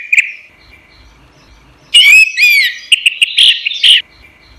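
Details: Orange-headed thrush song used as a training recording for caged songbirds: a thin steady whistle, then after a pause a burst of loud rich whistled and slurred phrases with sharp chips, ending in quieter tones.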